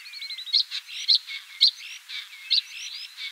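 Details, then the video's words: Busy, crackling common starling song with high squeaky accents roughly every half second over a steady blur of chattering and whistled notes. "Обыкновенный скворец (Sturnus vulgaris) - голос"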